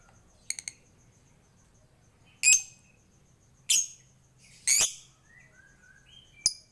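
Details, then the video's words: Lovebird giving ngekek ngetik chatter, a master recording meant to prompt other birds to sing: a few sharp high clicks, then loud harsh shrill chirps about once a second, plus faint thin whistles, in a quiet room. "MASTERAN LOVEBIRD NGEKEK NGETIK GACOR COCOK UNTUK PANCINGAN BURUNG LAIN PASTI LANGSUNG IKUT BUNYI"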